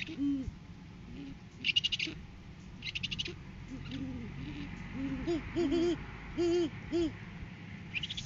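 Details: Male great horned owl brings a food gift to the female in courting season, 7 January 2023, live cam; several low double-arched hoots, mostly in the second half, plus a few harsh pulsed higher bursts and steady hum.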